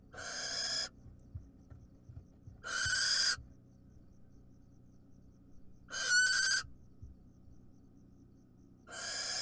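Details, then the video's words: Wild barn owls at feeding time. Spaced rasping hisses, about one every three seconds, one carrying a brief tonal squeal; light rustles between calls. "Clumsy Barn Owl Mom's Feeding Time Gone Wrong"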